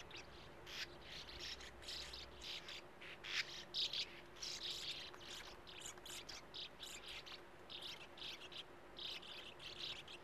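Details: Sand martins at their colony of nest tunnels in a steep earth wall by a gravel-pit lake, young waiting with open bills. Busy, harsh, buzzy twittering from several birds goes on almost nonstop, with a few louder sharp notes.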